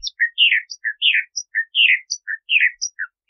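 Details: Bahama mockingbird singing a patterned phrase of a low whistle, a buzzy slurred note and a high thin note, cycled four times at a steady pace.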